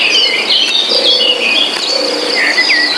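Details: Birds singing in forest ambience: a quick run of high, wavering whistled notes and sharp chirps, some rising, over a constant shrill insect hum.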